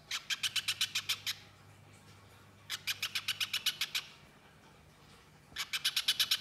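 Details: Three separate runs of quick, sharp, high chip notes from a little spiderhunter in nyerecet style. Each run holds about ten notes, with quiet gaps of over a second between them, and a faint low drone underneath.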